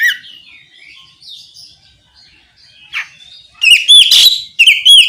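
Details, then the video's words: Oriental magpie-robin singing to provoke rivals into song: soft distant warbling at first, then loud bright whistled phrases with sharp chips and a harsh burst near the end. "Suara kicau kacer ngeplong memancing kacer apasaja ikut bunyi nyaut ngeplong gacor!"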